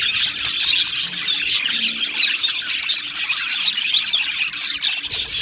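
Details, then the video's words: Many budgerigars kept together in an aviary, constant high chirruping and warbling chatter, thick and layered, with quick tweets rising above the mass of voices. "Beautiful Budgies Birds Singing and Chirping Sounds"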